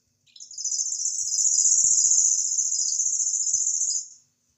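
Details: Cici lurik, an imported tutor bird with a cricket-like voice, opens with a short lower chip, then a very high, rapid, buzzy trill lasting about four seconds that swells and fades away. Faint low taps are heard beneath.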